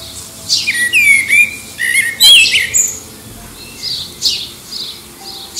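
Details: A common blackbird, singing in competition with other distant birds to find a mate, gives quick fluty warbled phrases breaking into high squeaky twitters, with short pauses over faint hiss; under an airport flight path, aircraft noise partway through.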